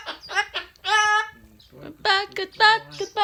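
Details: Pet umbrella cockatoo singing "good bird": a sing-song, speech-like phrase chanted in short harmonic bursts, rising and falling, with a quieter low voice between phrases.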